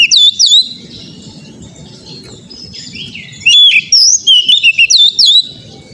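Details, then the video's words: Oriental magpie-robin song used as therapy to get a kept bird singing: sweet whistled notes and sliding trills, a loud opening burst, a softer mid section, then a rapid run of repeated notes. "TERAPI KACER BAHAN AGAR CEPAT GACOR NGEPLONG"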